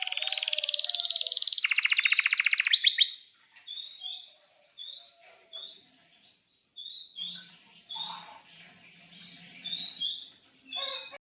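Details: Canary song used as a lure to prompt other canaries to sing: a fast buzzy trill at first, then scattered short high chirps and whistles with gaps, a faint low rumble partway through.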